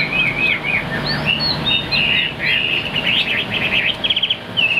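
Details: Captive Chinese hwamei singing loud, high-pitched song: twisting whistled notes that speed into fast repeated trills near the end, over faint low rumble.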